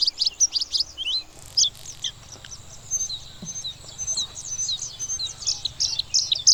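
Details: Bluethroat pouring out dense, high, scratchy and whistled notes in fast varied bursts, with a faint low hum in the background.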